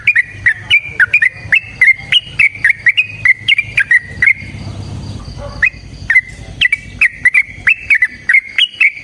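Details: Yellow-vented bulbul in long fighting song: a fast, steady run of bright whistled chirps with sharp clicks, a brief break with a soft hiss and faint whistle, then the rapid chirping resumes.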